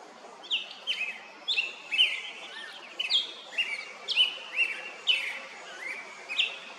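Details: Male black-headed grosbeak singing on 21 May 2024 at 11:43; a rich warbled series of clear whistled phrases, each a quick slurred rising and falling note, delivered in a steady run of about a dozen notes with short pauses, over quiet background.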